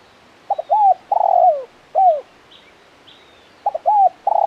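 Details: Spotted dove (tekukur) male in 'kuk 1 mersik' style: two short stuttered notes, an arched coo, then a long rolling buzzy coo falling at the end. A further arched coo follows, then the phrase repeats. The background is quiet.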